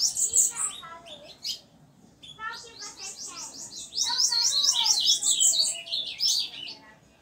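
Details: A banded captive bananaquit sings its high, buzzy, cicada-like song type of rapid, wheezy note bursts.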